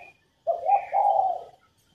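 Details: Single soft phrase from a female spotted dove used to get males singing: a hollow coo running straight into a longer, even coo, with quiet around it.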